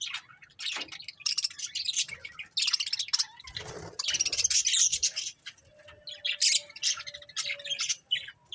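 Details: Breeding pair of budgerigars chirping: dense bursts of scratchy, warbling chatter and squawky notes concentrated high in pitch, with short pauses between bursts and a faint steady low tone near the end.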